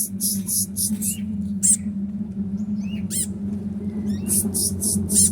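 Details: Sunbird singing a rich song said to include imitations of prinia and kapas tembak notes: very high hissy bursts and sharp downslurred chevron whistles, over a steady low hum.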